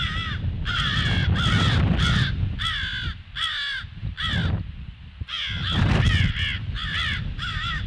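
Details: Crows alerting on 18 February at 08:50, giving short, choppy caws in rapid clusters with pauses between, against strong low-pitched rumbling noise.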